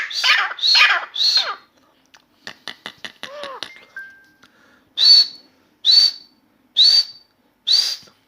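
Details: Grey francolin (Dakhni teetar) calling in a room, a new bird singing nonstop: three rasping phrases, a run of dry clicks with a brief pure whistled note, then four loud strident calls about a second apart.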